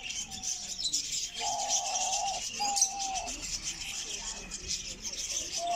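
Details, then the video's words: Diamond dove in North Rhine-Westphalia, Germany, recorded close up, gives two drawn-out, even coos mid-clip, the second slightly falling, with a faint shorter note before and after and a bright background hiss. "Diamanttäubchen ruft"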